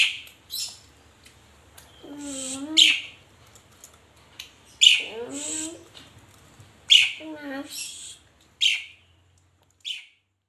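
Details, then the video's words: Pet Asian pied starling (jalak suren) in lively gacor chatter, said to be begging for coffee: sharp high chirps and squeaky notes in irregular bursts, mixed with lower harsh gliding sounds, with pauses between. "GACORNYA BURUNG JALAK SUREN MINTA KOPI"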